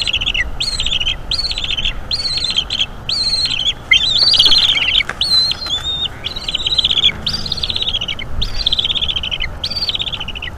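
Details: Bald eagle chick in a Northeast Florida nest, May 2021 evening, chattering while its mother feeds it and anxious to keep its squirrel; repeated high, trilling whistled calls dropping at the end, one louder drawn-out squeal midway, nest-camera recording.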